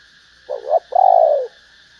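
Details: Female spotted dove calling to excite males: a brief wavering double coo, then a sustained, slightly falling coo, clear against a soft background hum.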